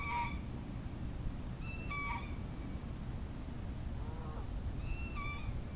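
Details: A pair of wild Ring-billed Gulls at a pond in Diamondhead, Mississippi, in January 2016. Three short mewing calls fall in pitch, spaced about two seconds apart, over a steady low rumble of background noise, with Canada Geese nearby.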